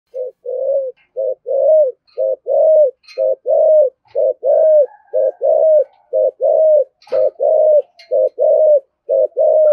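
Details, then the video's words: Spotted dove of the thổ sấm type giving thúc gù urging coos: a steady run of short, low, hollow coo notes, about one per second, with a few faint clicks and a brief higher sound in the background. "cu gáy thổ sấm THÚC GÙ và gáy gọi chuẩn nhất hiện nay"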